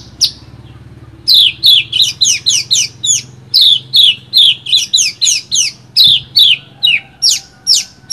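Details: Branjangan (Horsfield's bush lark) song for tutoring: after a single opening note and a short pause, a rapid run of loud, scratchy, falling chirps, close to three per second, continues without a break.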